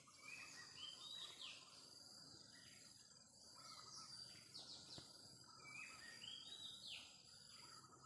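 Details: Wild Oriental magpie-robin singing short, varied whistled notes, some sweeping up and others slurring down, in quick loose phrases, set against a steady, shrill high insect chorus that runs throughout.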